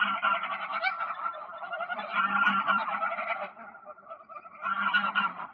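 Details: Continuous honking from a flock of greylag geese on ponds in Poleski Park, 1 October 2024, with harsh overlapping nasal notes dipping briefly in volume before rising again.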